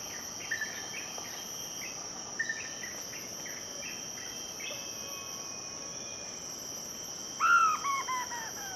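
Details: Blyth's frogmouth in Malaysian rainforest: faint short notes early, then near the end a loud series of harsh, downward-stepping notes, over a steady high drone of insects.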